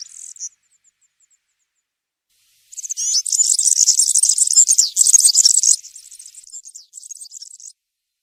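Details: Woodland European serin, campero singing style: after a brief high note and nearly three seconds of quiet, a burst of fast, sizzling, tinkling trills runs for about three seconds, then fades into softer jingling.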